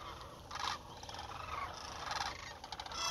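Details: Sandhill cranes on migration through south central Nebraska, 2021, about 30 meters off: scattered rattling calls rise and fall from a calling flock, several birds overlapping over a soft background.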